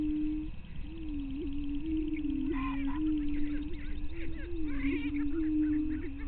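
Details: Greater prairie chickens displaying at a lek on Bluestem Prairie Scientific and Natural Area near Glyndon, northwestern Minnesota, at 5:30 AM on 9 May 2023. A low, wavering hoot-like moan runs almost without a break, with brief higher cackling notes mixed in.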